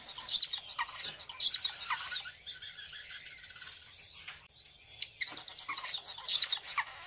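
Star finch giving high, thin chirps and twittering notes, with sharp peaks about once a second over a busy, continuous chatter.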